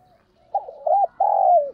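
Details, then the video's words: Decoy spotted dove meant to stimulate males to coo: a few quick notes run into a long, slightly falling coo, with faint low background noise. "Chim Cu Mồi - chim cu gáy kích bổi nhanh nổi và tập mồi hiệu quả"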